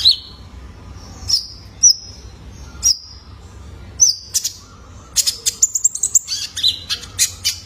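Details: Juvenile male Van Hasselt's sunbird, a lure for caged birds: evenly spaced single high chirps about once a second, then a faster run of ticking twitters and thin whistles.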